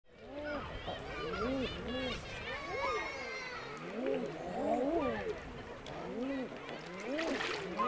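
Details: Several male common eiders on the water near the Isle of May, Scotland, crooning overlapping ah-hoo calls: soft, rising-then-falling hooted notes repeated every second or so, with higher seabird calls and water splashes behind, recorded on a Panasonic Lumix S5.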